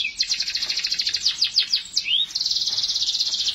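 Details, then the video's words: Canary song: a dense, fast rattling trill of high notes, broken by one rising slurred whistle, then a continuous even buzzing roll. "٣٠ دقيقة تغريد مستمر ورائع مهما كان نوع الكناري خاصتك سيبدء بالتغريد"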